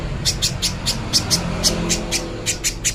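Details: Little spiderhunter song, a clear recording used for training: sharp, high chipping notes repeated about three to four times per second in an even series over a steady low hum.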